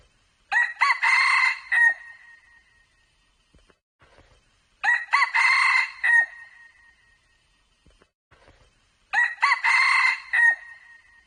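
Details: Red junglefowl giving three ringing crows roughly four seconds apart, each a broken, harsh phrase of several linked parts ending in a fading drawn-out note, with near silence between them.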